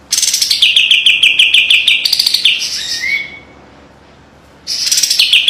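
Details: Cream-vented bulbul, called kapas tembak, singing sharp, tight trills for training; a fast run of repeated notes ends in a rising slurred whistle, a silent gap follows, then the trill restarts.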